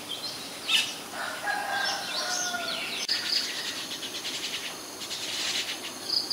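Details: Common Myna in Ubon Ratchathani, Thailand, recorded May 7, 2022 with a Nikon P1000: loud mixed calls of harsh buzzy bursts, slurred whistled tones and brief chattering notes, with faint distant birdsong behind.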